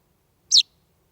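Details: One sharp, high chirp with a quick downward slur comes from a young chaffinch on a house threshold on a warm July evening in 2020, with nothing else audible.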